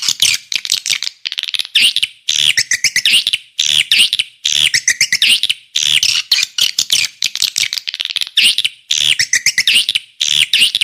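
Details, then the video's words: Swiftlet lure call in a repeating pattern, each phrase a burst of clicks rising into a buzzy, high twittering trill, recurring about every second. "Suara Walet Paling MAHAL, Suara Panggil"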